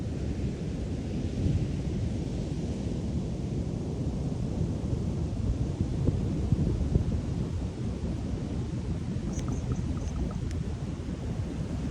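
Steady low rumble of wind buffeting the microphone with heavy surf, and no animal sound.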